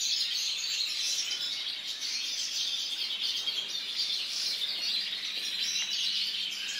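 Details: White mutation European goldfinch recorded in 2012, singing a continuous stream of high, rapid twittering and tinkling notes with buzzy trills, set against steady background noise.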